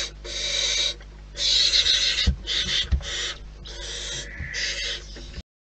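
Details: Barn owls at the nest in the wild: rasping, hiss-like screeches of uneven length overlap and alternate, some cut short, with a faint lower wavering tone near the end and soft knocks below.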